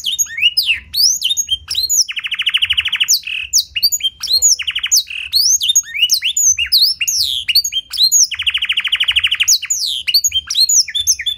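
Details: Clear-voiced canary tutored in blackthroat phrases, played as a lure to prompt other canaries to sing: sharp sweeping notes broken by two long, fast rattling trills, one early and one late.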